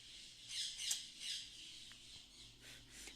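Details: Parakeets (wild) give harsh, high overlapping squawks in bursts, about three calls a second with brief gaps, heard at about 10 a.m. near a neem-tree spot where many parakeets nest.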